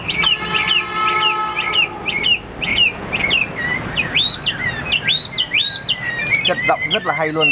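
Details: Caged Hwamei kept for competition, singing in a fighting display: loud, varied whistled phrases with repeated looping notes, rich and ringing, soon turning into fast slurred trills.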